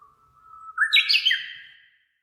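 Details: Japanese bush warbler singing on 30 May 2015, filmed on a Canon PowerShot SX60 HS with noise cut and reverb applied: a lower sustained whistle, then a sudden jump into an ornate, rapid rising-and-falling flourish.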